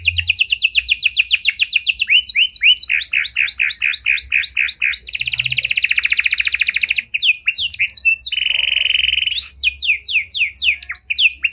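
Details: Canary of the panda variety singing an ornate cengkok mewah song, used to bait and train other canaries; a loud continuous run of rapid trills, fast falling sweeps and a steady buzzy rattle, shifting phrase every second or two.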